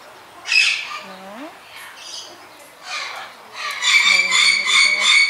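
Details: Satyr tragopan resting in a bird garden gives loud, harsh, squawking calls in a few bursts, the last a rapid run of grating notes, with bird-park sounds and a faint low hum beneath.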